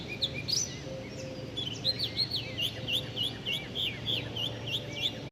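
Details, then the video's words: Birds chirping in a quick run of repeated curved notes, about three per second, sweet and high, over constant low hum and faint environmental noise. "Sweet Birds 🐦Chirping Sounds"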